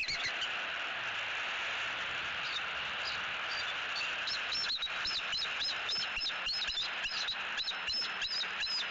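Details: Nest-cam recording of bald eagles vocalizing repeatedly at their Southwest Florida nest tree with a sub-adult intruder present, early morning in October 2018. Fast runs of thin, high, staccato chirps build after a quiet start, over steady background hiss.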